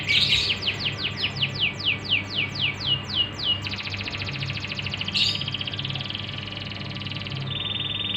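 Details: Canary singing as a lure for untrained canaries: a run of about ten quick descending whistled sweeps, then long buzzy rolling trills at steady pitch, shifting to a thinner, higher trill near the end, over a low background hum.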